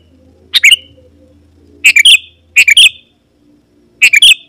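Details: Sooty-headed bulbul (kutilang) in lively song for calling rival wild birds or tutoring kept birds: four bright, bubbly phrases of three or four rapid notes at uneven intervals, with a low droning hum in the background.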